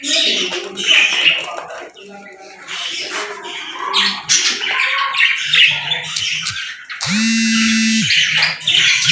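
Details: Budgerigars in the morning chatter busily, a dense stream of bright chirps, squeaks and warbling notes.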